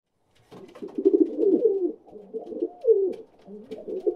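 A pigeon gives low, throaty, rolling coos in a continuous burbling run, with brief pauses between phrases.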